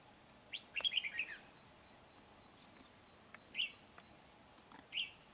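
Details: Trapping decoy red-whiskered bulbul, 4 April 2021: a rapid chattering run of bright whistled notes, followed by two isolated short chirps a few seconds apart, with a constant shrill insect drone in the background.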